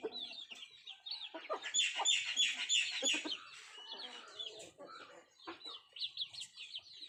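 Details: Country chickens eating: fast clucking and squawky notes clustered in the first half, with high chick peeps running throughout.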